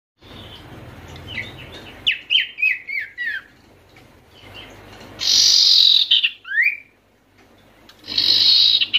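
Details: Sirtu (Oriental white-eye) calls used to stir silent, stressed birds into singing: a run of quick, sharp descending chirps, then harsh hissing bursts with a rising whistled note between them, over a faint low hum.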